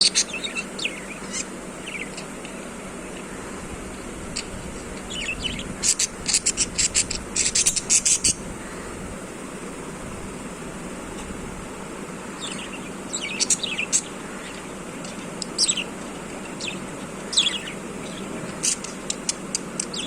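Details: Female yellow budgerigar bobbing her head gives bursts of bright, scratchy chirps against a steady low hum.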